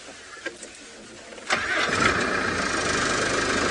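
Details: A vehicle engine starts with a sharp clatter and settles into a steady broadband rumble, with no animal voice heard.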